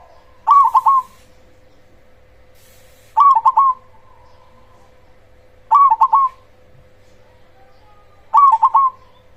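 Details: Loud cemani zebra dove singing constantly to lure and provoke other zebra doves: four evenly spaced, stuttering coo phrases of quick bubbling notes, roughly every two and a half seconds, over a soft, steady hum.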